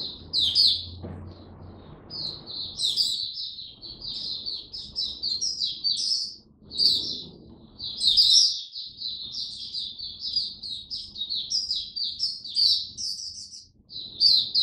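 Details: Hobby-kept oriental white-eye (mata puteh) in a long 'raja' song bout: extended high, fast twittering warble with repeated louder sharp-note peaks, brief dips between phrases, and occasional faint thumps nearby.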